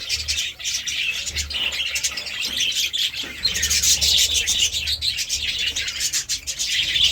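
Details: A group of budgies enjoying seeds and vegetables produces quick, irregular high chirps and a scratchy warbling chatter that grows louder midway, over a faint low hum.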